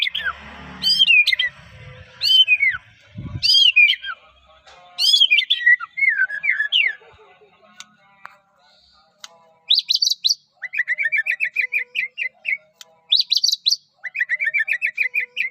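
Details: Singing white-rumped shama from Medan, used to stir other shamas: loud descending whistled phrases repeated about every second, a short low rumble, then rapid trilled rattling series alternating with high buzzy bursts.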